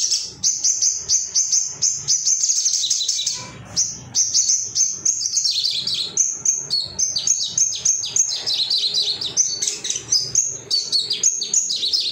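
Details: High, rapid twittering from a male Ruby-cheeked sunbird used to provoke singing, a long run of sharp repeated chips followed by varied squeaky, jumping phrases.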